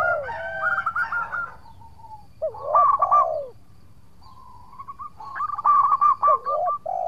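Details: Local zebra dove singing actively, its song suited to luring rival birds into answering: rolling trilled coos, a few looping lower notes, a quiet pause, then another burst of fast, bubbling coo notes.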